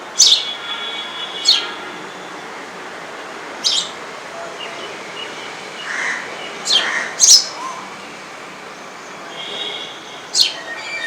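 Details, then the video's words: A sparrow at a home gives short, sharp chirps, singly or in quick pairs, every one to three seconds, over a steady background hiss. "Beautiful Sparrow chirping at my home"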